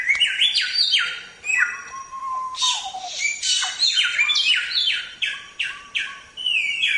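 A Samyong sings a rich, varied run of loud whistled phrases, many sliding sharply downward, delivered in quick bursts with brief pauses.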